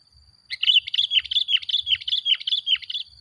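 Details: Sooty-headed bulbul singing vigorously, used as a lure to provoke other bulbuls. A rapid burst of short, bubbly whistled notes repeats about every quarter second for nearly three seconds. A steady high electronic-like tone runs throughout.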